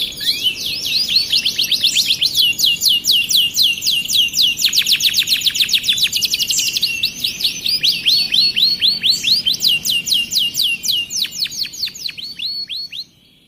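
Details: Starblue canary in full song: long unbroken series of rapid, high, downward-sweeping whistled notes, shifting in speed and pitch between phrases, ending abruptly after about thirteen seconds.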